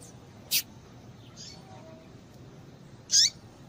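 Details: Yellow-bellied seedeater female giving her call meant to excite males into singing: a sharp high click-like note, then a louder squeaky call with a falling tail about 2.6 seconds later, faint softer notes between.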